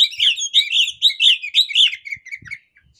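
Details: Oriental magpie-robin hen (kacer poci) in breeding condition giving excited ngobra calls while spreading her tail to draw males; fast, buzzy, rolling chatter of high notes about twice per second, fading into softer twitters, faint low thumps.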